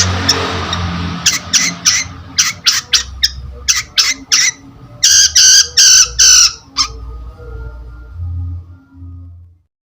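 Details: Long-tailed shrike (cendet), lure sound for other birds: a run of harsh, raspy squawking bursts, louder and longer toward the middle, then ending in silence with faint low thumps.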